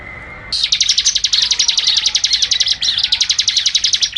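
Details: Ciblek, the bar-winged prinia, singing energetically for tutoring: after a half-second lull comes a dense, rapid trill of sharp high notes, with a brief break midway, that continues to the end.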